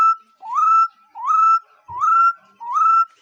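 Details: A bird gives a series of pure whistled calls, each rising smoothly and then held steady. Four even notes come in a regular beat against a silent background.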